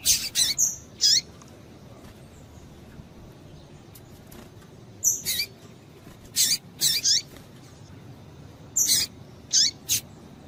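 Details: Female double-collared seedeater calling to stir a male: bright high chips, several in quick pairs and triplets, separated by quiet gaps, with constant faint background noise.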